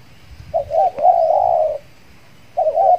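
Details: Decoy spotted dove, recently finished moulting, calling to draw in wild doves; a short wavering note runs into a long drawn-out level coo of over a second, then a new phrase begins.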